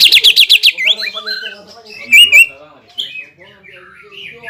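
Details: A greater green leafbird, sung as bait to make a rival bird hyper: a quick series of six sharp descending notes, then softer scattered whistles and a couple of loud chirps.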